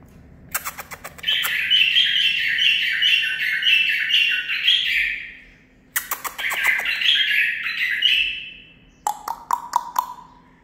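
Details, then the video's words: Kept 9-month-old male bulbul, tutor-trained and singing learned Zilzal-style phrases: dense warbled bursts of rapid rich notes, each opened by sharp clicks, two long phrases, then a short run of lower, evenly spaced piping notes. "من بلابلي الخاصه (الكابتن ) مخلف تخريجي العمر 9 أشهر اخذ لسانات زلزال"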